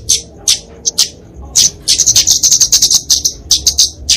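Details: Flowerpecker kemade fighting song for tutoring and luring songbirds: a few isolated high sharp notes, then a quickening run of thin ticking chips and trills.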